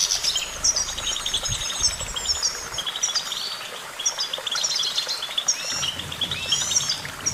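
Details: Goldfinch song: a continuous, rapid tinkling twitter of high, thin notes with quick slurred trills and chirps, the phrases overlapping densely throughout, over a faint low rumble of background noise.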